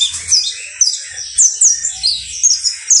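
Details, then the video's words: A saffron finch (Sicalis flaveola), known locally as canario basto criollo, sings a fast, high, bright string of chirps and sharp downslurred notes, packed closely together with barely a pause. "UN CANTO INCREIBLE DE CANARIO BASTO CRIOLLO"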